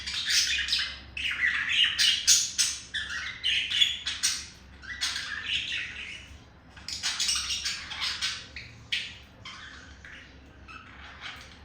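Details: Courting male budgerigar singing to a female: loud, rapid, scratchy chatter of clicks, squawks and buzzy notes in long busy runs, with a few quieter gaps and a low background hum.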